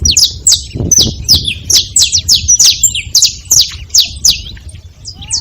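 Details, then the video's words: Saffron finch calling at a feeding spot: a steady string of high, sharp chirps, each sliding downward, repeated about three times a second over a low, muffled background rumble. "Canário da terra fazendo barulho na seva"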